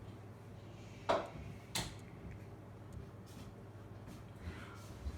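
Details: Two sharp clicks or knocks, like a drawer or door, over low room hum, with no animal voice heard.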